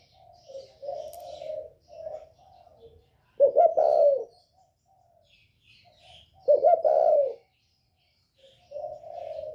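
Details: Spotted dove with a 'còi bổi' voice, northern Vietnamese type, calling to provoke other birds. Soft low coos are followed by two loud, rough-edged phrases about three seconds apart, then softer cooing resumes.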